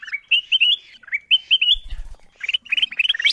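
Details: Kutilang emas bulbul sound used as a lure for wild birds: clear whistled notes in stepped, slightly rising phrases about once a second, a brief low rumble, then a quicker chirpy run.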